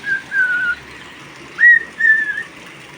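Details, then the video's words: Pet cockatiel singing during rain: a few clear whistled notes, one long wavering tone followed by a sharp upslurred whistle and a level phrase, with short pauses between. "My cocktiel bird loves rain"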